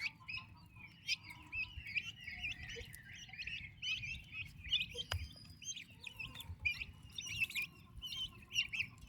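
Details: A flock of active turkey chicks with their mother keeps up a continuous chorus of high, hooked peeps, with occasional sharp clicks, over a low background hum.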